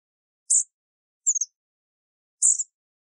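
American bushtit giving three very high, thin, lisping notes, each brief and spaced about a second apart, with the middle one slightly slurred downward; nothing else audible.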